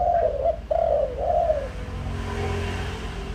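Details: Lure spotted dove's coo: three mellow, down-sliding notes in the first second and a half, a short one then two drawn-out ones, after which only a faint low background hum remains.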